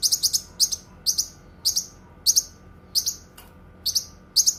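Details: Cucak kinoi song, used for tutoring songbirds and for therapy: high, buzzy chirps, mostly in doubled pairs, repeated at irregular intervals of about half a second, with a faint low hum behind.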